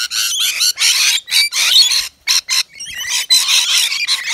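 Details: Rainbow lorikeets at a balcony nectar feeder serving wet nectar mix; harsh, rasping screeches in short bursts of about half a second, rising and falling, with quick pauses between bursts.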